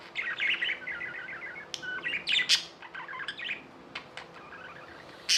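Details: Tame budgerigars kept as pets in India making a loud, buzzy stream of warbled chirps, with harsh bursts and a few sharp clicks mixed in.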